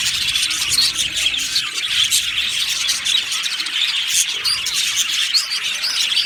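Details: Budgerigars, a happy flock in an aviary, chirping: dense continuous chatter of overlapping high warbles, squeaks and short whistles from many birds at once, with no pauses.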